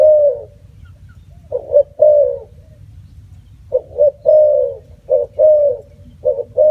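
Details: Spotted dove (Spilopelia chinensis), call.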